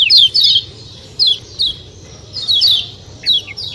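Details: White-eye (kecial kuning) in a natural outdoor recording: paired and single high, steeply falling 'ciak' chirps in short bursts with gaps between, over a soft low-pitched background murmur.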